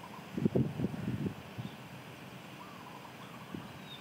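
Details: Lesser coucal in Malaysia giving a quick run of about six deep, hollow hooting notes, followed by a few fainter hoots over a low background rumble.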